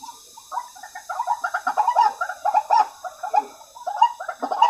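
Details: Softer White-breasted waterhen calls used as a waterhen lure: quieter, bubbling, hollow notes in uneven clusters, rising and falling in loudness.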